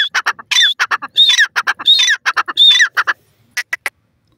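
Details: Francolin, known locally as tetar, giving a loud, harsh call series: rapid clipped notes with squealing whistled phrases roughly every 0.7 seconds, ending in a few scattered clicks after a short silence.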